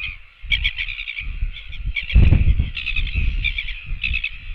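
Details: Royal albatross chicks on a nest webcam, several coming to beg for food: short bursts of rapid, nasal, piping notes in clustered runs separated by brief pauses, over steady wind rumble and gusty thumps.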